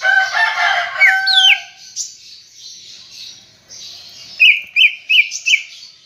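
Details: Greater green leafbird in gacor chattering song: it opens with a rich, varied warble of mixed low and high notes, goes quiet, then gives four quick, loud, rising-then-falling whistled notes.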